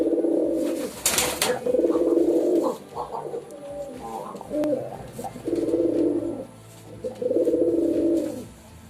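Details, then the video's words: Pigeon calling with a series of long, deep, burbling coos, each lasting about a second with short pauses between, plus a sudden rustle or wing flap near the start. "Pigeon Sound Effect 🦅 Pigeon Sound"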